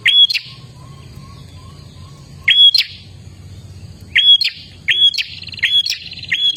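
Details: Olive-backed tailorbird song played to get caged birds singing: loud, sharp high notes with a downward flick, given singly or in quick pairs and trios, separated by short pauses; a faint low hum runs underneath.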